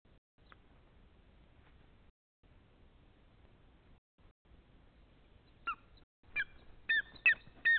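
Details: Greater spotted eagle in Nizhnyaya Kama National Park on 14 April 2020, 9:21–9:26, giving a quick run of short, yelping, ringing notes in the last two seconds after several seconds of faint background hiss.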